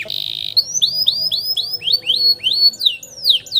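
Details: Canary song used to teach young canaries, opening with a short buzzy burst, then a steady run of arched whistled notes, about three per second, rising and falling.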